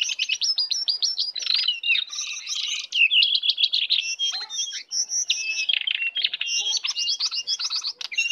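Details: Wild Oriental magpie-robin coming to attack pours out a loud, continuous, high-pitched song of rapid chirps, trills and whistled slurs with barely a pause.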